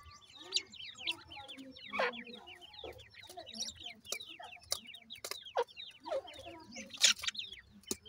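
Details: Grey francolin (teetar) chicks being raised in housing: a dense chorus of high, thin, downslurred peeps from many chicks overlapping continuously, with occasional clicks and knocks.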